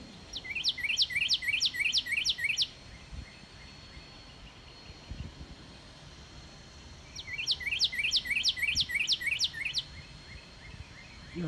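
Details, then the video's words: Northern cardinal singing in a yard on 29 March 2019: two bursts of seven or eight quick, clear, downslurred whistles, each about two seconds, separated by a pause, over a low background hum. "Cardinal Sings"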